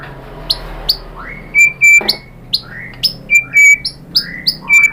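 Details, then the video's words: White-rumped shama singing as a lure to make other shamas reply: spaced sharp upslurred whistles and short level chips, loosely repeated over faint background hiss. "MURAI BATU lain jadi NYAUT ikut BUNYI GACOR BONGKAR MATERI ISIAN ¦ PANCINGAN MURAI SHAMA BIRD"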